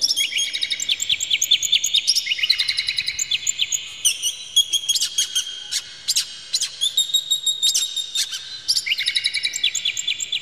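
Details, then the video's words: An excited oriental magpie-robin fans its tail and sings a rich, stuffed song meant to provoke other magpie-robins; fast bursts of repeated high ticking notes alternate with bright whistled trills, almost continuous throughout. "dijamin kacer langsung ngamuk2 dengar kacer ini bongkar emosi buka ekor ngobra full isian"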